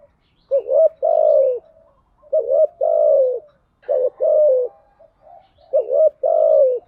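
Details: Female spotted dove cooing as a lure for males, thúc gù and gáy gọi styles: four phrases, each a short clipped double note followed by a drawn-out, gently falling coo.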